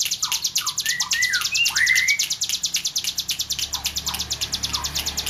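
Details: Hill prinia singing energetically, a tame bird: a rapid, even train of high thin ticks, with lower slurred whistled notes from another bird sounding in the background.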